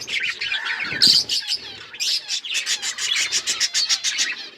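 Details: Pet budgies chirping and singing, a busy mix of scratchy high chatter and squawks, then a run of rapid clicking, rhythmic notes repeated several times a second toward the end.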